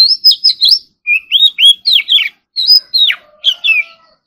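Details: Oriental magpie-robin practising its song in the morning: a rapid run of loud whistled notes, some swooping up and others dropping steeply, grouped in bursts with brief gaps between them. Quiet background.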